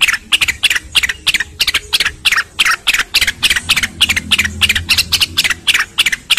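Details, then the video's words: Grey-cheeked bulbul, used as a training (master) recording for songbirds, gives a fast, harsh chatter of bright, buzzy notes, about three a second, with brief gaps between bursts. "MASTERAN BURUNG RENGGANIS SUPER GACOR"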